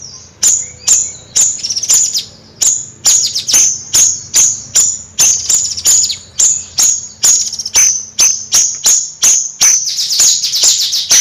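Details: Bayeman in lively nyrecet song: a long run of high, thin chirps repeated about twice per second, with buzzy downward slurs between the notes.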